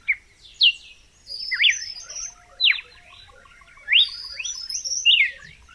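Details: Red-cowled cardinal song of emphatic downward-sweeping whistles in uneven phrases, with softer chattering notes between them.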